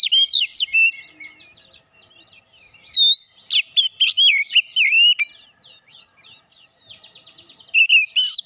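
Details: Oriental magpie-robin of fighter character singing: loud, varied whistled phrases with swooping notes and sharp high chips, interspersed with rapid trilled series of short repeated notes, in several bursts with quieter gaps between.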